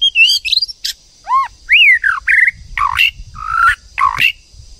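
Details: Female White-rumped shama urging a male to sing: loud varied phrases mixing arched whistles, swooping slurs and harsher buzzy notes in quick succession, with a high hum in the background.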